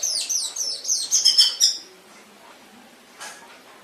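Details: Brief burst of canary song from a master training recording: quick high trilled notes for under two seconds, then near silence with a faint chip.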